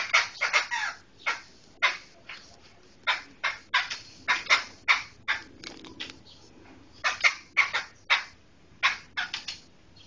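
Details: Medan black laughingthrush singing: loud harsh, broadband chattering bursts in quick clusters, short pauses between groups, pairs and triplets of notes repeating across ten seconds; quiet background.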